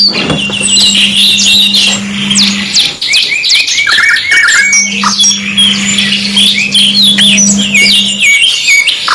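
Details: Two-in-one canary tutor recording with busy overlapping song: fast trills, sharp chips and twittering phrases with no pause, over an intermittent low steady hum.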